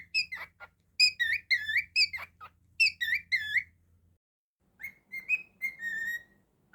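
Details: A pet cockatiel whistles a run of bright, up-and-down notes, then after a brief pause a smoother phrase, over a faint low hum.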